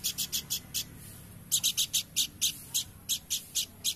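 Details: Horsfield's babbler (planduk semak) singing energetically: a rapid run of short, sharp, high notes, roughly four per second, with a brief pause partway through before the series resumes.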